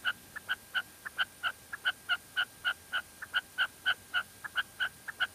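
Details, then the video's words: Rapid series of crisp, short notes from a female red-legged partridge in La Mancha, about four per second, steady and fairly loud, with little other sound. "Reclamo de perdiz hembra en la mancha"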